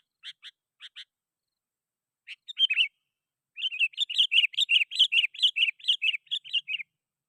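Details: Energetic sooty-headed bulbul calling out rivals, a lure recording for wild bulbuls: a few paired chirps, then a burst of warbling that becomes a fast, continuous run of bubbly whistled notes over about three seconds.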